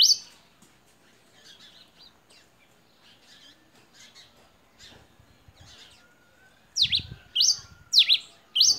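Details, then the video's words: A kept Pileated finch sings its "canto 21" in a steady, measured style: soft high chips at first, then loud, sharp, downslurred whistled notes about two per second near the end. "TICO-TICO-REI-CINZA CANTO 21 PURO COMPASSADO CANTANDO"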